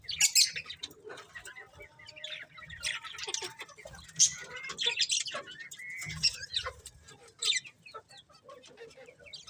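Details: Colourful budgies keep up a soft, continuous warbling chatter of high chirps and buzzy notes, with occasional louder sharp tweets and faint fluttering.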